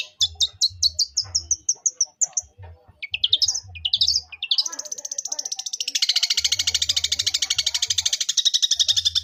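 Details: Long-tailed shrike in a fighting song: rapid series of sharp high chirps, harsh rasping chatter, then a long fast buzzy trill, over regular low thumps.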